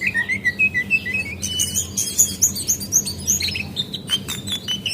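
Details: Female Javan white-eye lure call used to make birds sing: a run of clear whistled notes slurring downward, then rapid, very high chirps and twitters in quick succession over a low steady hum.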